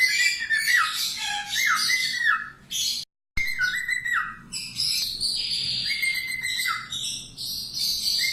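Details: Budgerigar warbling for training cockatiels: busy, near-continuous chatter of buzzy notes and downward-bending whistles, broken once by a brief total silence.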